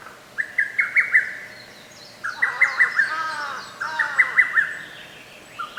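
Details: Lesser cuckoo singing in a forest park on 15 May 2024, with gaps between songs trimmed. Three rapid phrases of sharp, clipped notes follow one another. A second bird adds lower, curving harmonic notes under the middle phrase.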